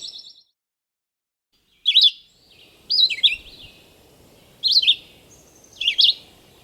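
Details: Rose-breasted Grosbeak song, robin-like but quicker and higher, heard live: short warbled, slurred phrases roughly a second apart, four bursts with a faint low rumble beneath.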